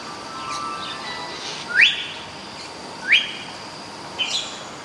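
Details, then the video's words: Common hill myna calling with sharp, upward-sweeping whistles, three spaced about a second and a half apart, against a constant hiss and faint distant chirps. "Suara asli burung beo"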